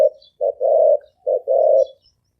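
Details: Spotted dove cooing, labelled in Vietnamese as a fast, rapid "gáy gù" call of the thổ ồm type; low hollow coos in pairs, a short note followed by a longer drawn coo, with faint high chirps of other birds.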